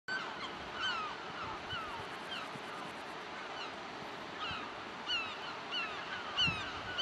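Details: Several gulls screaming at a wide beach below white cliffs in France, 2007: a scatter of falling, harsh, overlapping cries from different birds, with a steady hiss of sea waves underneath.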